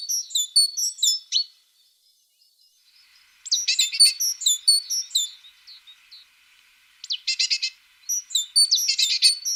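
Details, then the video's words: Tit singing for relaxation: bursts of high, sharp chirped notes in quick runs, a short pause, then more rapid twittering phrases and a dense trilled burst, all thin and high-pitched. "The sound of a tit singing"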